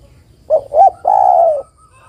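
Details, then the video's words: Calling for a male, a female spotted dove gives one coo phrase: two brief notes, then a longer rolling coo that tails off lower. "TEKUKUR BETINA MEMANGGIL JANTAN"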